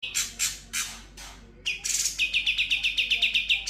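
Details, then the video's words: Sooty-headed bulbul in full continuous song with imitated filler phrases: scratchy chirps, then a fast series of sharp repeated notes, about four per second, over a low steady hum. "Cucak Cungkok Full Ngebren Isian Konin Kapas Tembak Kunti"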